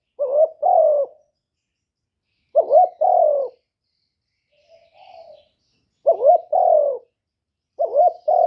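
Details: Spotted dove lure calls for drawing in wild doves: loud, clear paired coos, a short clipped note then a longer falling one, repeated every two to three seconds with a softer distant coo between.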